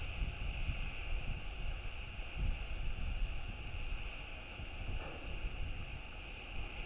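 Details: Blustery wind rumbles against the microphone with a low, steady roar and a faint hum. No animal voices can be picked out.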